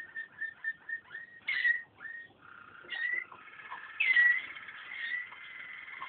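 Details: A Waterslager canary gives a run of short whistled notes, then longer sliding whistles and a drawn-out tone, with louder bursts breaking through at intervals.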